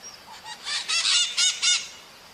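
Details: Parakeet in the wild giving harsh, grating squawks, four or five in quick succession within about a second, after a few softer notes; nothing else stands out.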